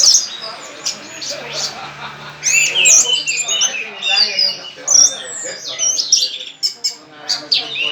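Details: Orange-headed thrush, a contest bird singing loudly with its tail spread, in a high, varied song of sharp whistles, quick chirps and rasping notes packed together. Faint talking and a low hum sit beneath.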